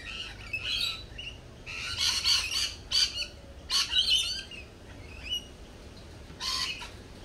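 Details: Lorikeets at a lorikeet cafe give harsh, screechy squawks and shrill chatter in irregular bursts, several birds calling over one another, with a low background hum.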